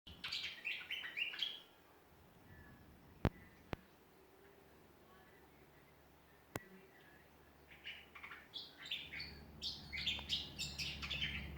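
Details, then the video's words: Australian songbirds singing in a backyard in Ballajura, Western Australia: bursts of high, quick chirping notes at the start and end, separated by a quiet stretch broken by a few sharp clicks. "Australian songbirds in backyard."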